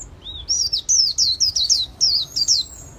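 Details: Líu xòe song from a talented caged white-eye. A lower rising note opens, then a fast chain of piercing, downward-slurred whistles runs almost without pause for over two seconds.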